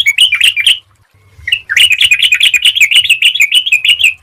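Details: Yellow-vented bulbul sings a lively, bubbling chatter of quick, rich notes, a vocal display recording.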